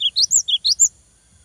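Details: Singing cinereous tit, meant to rouse rivals: six clear, high whistles in under a second, alternating lower and higher slurred notes in a see-saw pattern, followed by near silence.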